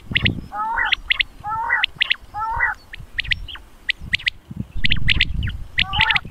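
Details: Common quail call from a Punjab hunting lure recording tied to Mianwali, used to draw quail in. Sharp high notes in quick groups of two or three alternate with lower, buzzy, stacked croaks, over steady low rumbling background noise.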